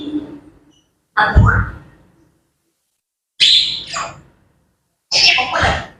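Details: Morning sounds of grey parrots: three separate short, harsh squawking calls spaced by silent gaps of one to two seconds, the first with a low thump beneath it.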